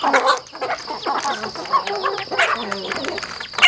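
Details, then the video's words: Farm chickens eating food, giving a busy stream of short overlapping clucks and soft squawks from several birds, some notes rising and falling, with a steady faint background hum. "The sound of chickens on the farm eating with delicious food"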